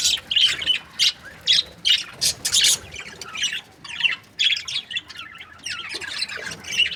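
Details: Budgerigars from breeding pairs chirping: bursts of harsh, buzzy squawks and high chirps in uneven clusters, mostly sharp noisy notes with short pauses between them.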